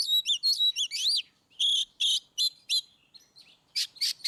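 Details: Oriental magpie-robin in ngeplong song, a training recording meant to make reluctant birds sing; rapid whistled slurs and rising notes, then spaced loud buzzy chattering bursts about three per second, varied and energetic.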